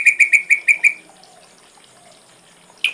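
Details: Ashy drongo song in a full-content tutor recording for training songbirds: six clear, evenly spaced notes repeated quickly in about one second, then a pause and one more sharp note at the end.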